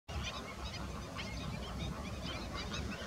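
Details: Greater flamingos calling as a flock: a dense chorus of overlapping goose-like honks and nasal gabbling, continuous with no gaps.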